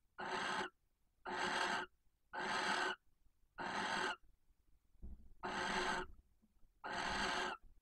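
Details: Barn owl at a nest box near a visitor centre in Cabañeros National Park, Spain, during nightly mating; the female calls for the male with six harsh hissing screeches about a second apart, separated by a short pause.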